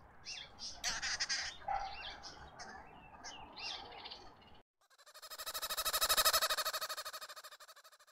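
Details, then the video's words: Arrow-marked babblers in a suburban garden in Pretoria, South Africa: harsh, scratchy chattering bursts for about four seconds, then a loud, rapidly pulsing buzz that swells and fades. "Arrow-marked babblers"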